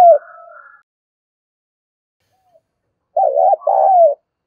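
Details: Spotted dove with 'urging' and 'calling' coos meant to stir up other doves: a faint trailing note, a silence, then a short, husky two-part coo near the end.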